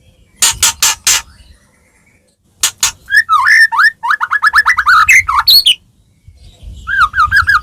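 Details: White-rumped shama (murai batu) singing to prompt other shamas: sharp harsh clicks, then a rapid jumble of chattering and twisting whistled notes, ending with repeated wavering whistles.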